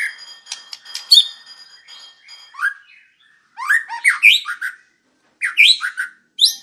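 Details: White-rumped shama (murai batu) song for a master training recording, WIKPLONG style: opening sharp clicks over thin steady tones, then loud, varied swooping whistles in short bursts with brief gaps.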